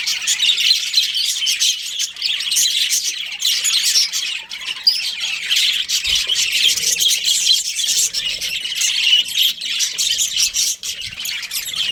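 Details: A pair of breeding budgerigars keeps up a long run of harsh, high squawks and rapid chirps, the chatter dense and unbroken with brief dips in loudness.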